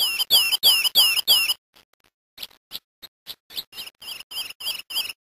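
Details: A Lemon-chested greenlet (Hylophilus thoracicus), a Brazilian bird, sings a quick run of five loud, high, slurred whistles, then a softer series of repeated high notes at a steady, rapid pace.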